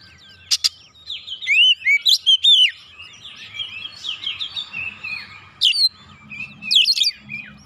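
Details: Lure recording of an oriental magpie-robin (kacer) worked up and unloading its isian, meant to provoke birds to sing. Varied sliding whistles, chattering high notes and crisp snaps form a busy, rambling phrase, with a faint low murmur underneath.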